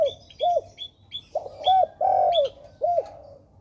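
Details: Spotted dove, called tekukur, cooing in repeated arched notes. Short coos alternate with one long descending coo, and high chirps from other birds sound between them.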